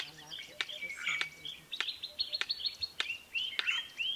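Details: Red-crested korhaan in Kruger Park, South Africa, giving its simple, very loud song of sharp clicking notes, one about every 0.6 seconds, while other birds chirp and whistle behind.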